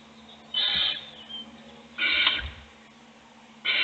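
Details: Nest box owl chick being fed as the other chicks sleep. Three drawn-out hissing screeches about half a second long, roughly one and a half seconds apart, with low thumping movement noise.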